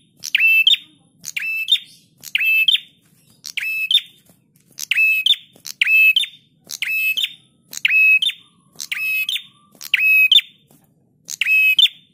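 A Bar-winged Prinia sings loud, high, rapid chattering phrases, each about half a second long, repeated roughly every second with brief pauses between them.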